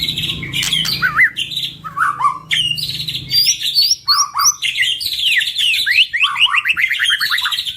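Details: A pair of white-rumped shamas heard on a training recording used to provoke singing. Loud, continuous song of looping whistles and upslurred notes, ending in a fast run of repeated rising chirps over a faint hum.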